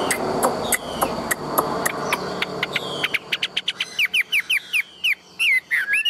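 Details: Tame caged Chinese hwamei, large-bodied, with scratchy clicks and rustling noise at first, then a burst of rapid, loud whistled notes sliding downward, coming faster and louder toward the end.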